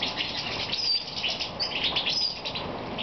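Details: Short burst of European goldfinch song in moult, recorded in the evening in Romania, 22 May 2014: quick tinkling twitter with thin high whistles, over background hiss.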